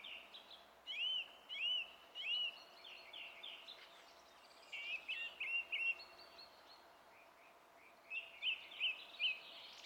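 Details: Song thrush in song on 27 April 2016, delivering phrases in repeated runs: a looping whistle given three times, a pause, then a rapid trill of notes repeated, and later a triple whistled motif.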